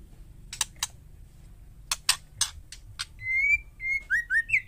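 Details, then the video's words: Female white-rumped shama calling so that males will answer: scattered harsh rasping bursts give way to a long level whistle and a quick series of rising whistled notes. "panggilan murai betina hot jamin jantan bisu langsung nyaut..white rhumped shama"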